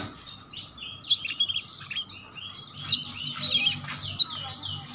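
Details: Canary chirping used as a lure to get young canaries singing: rapid high twittering phrases of sweeping notes, with bursts near one, three and four seconds over a low steady hum.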